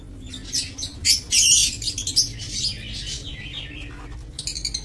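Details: Captive lovebirds in a breeding aviary, 22 November 2024. Harsh, shrill squawks crowd together in the first half, then a quieter stretch, then a fast run of sharp chirps at the close. A faint low hum runs underneath.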